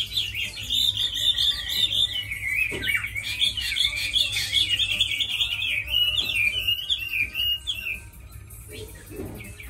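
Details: Chinese hwamei, a tame bird kept for fighting and singing, pours out a long fast warbling song of wavering whistled notes that fades toward the end, with a few clicks and a low background hum.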